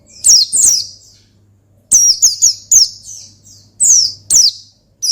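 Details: Rival-provoking ngalas song of an Oriental white-eye: loud high chirps in tight pairs and triplets, each note sweeping down sharply, with brief gaps and a low hum underneath.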